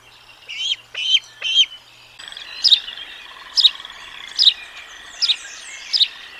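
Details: Bald eagle giving thin, high chirping calls: three quick sharp notes, a pause, then a series of clipped chirps spaced roughly every second, clear against a quiet background.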